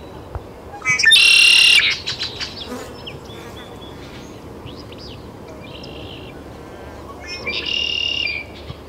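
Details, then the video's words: Great-tailed grackle in Taos, New Mexico, on June 17, 2017: a loud harsh, buzzy burst lasting almost a second, thin whistled notes, then a second rasping burst near the end, over a soft steady background hiss. "Great-tailed Grackle"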